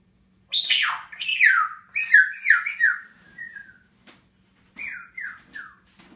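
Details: Grey parrot's morning whistles from the top of its cage on June 15, 2016: a run of loud, sliding whistles swooping downward one after another, then a softer trailing note and a short group of three falling whistles, with room hum.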